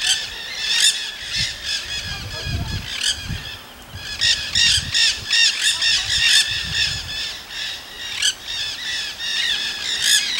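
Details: Free-living Nanday parakeets in Solstice Canyon, Malibu, California, on 9 March 2017; many harsh, scratchy squawks overlap in a constant chattering din, with low rumbling noise and a faint steady hum in the background.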